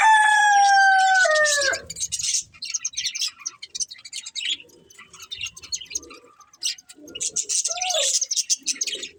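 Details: Budgerigar breeding pair chirping: an opening loud, drawn-out harmonic call sliding downward, probably a rooster crowing, then fast busy chatter of sharp high chirps and clicks in rapid uneven bursts.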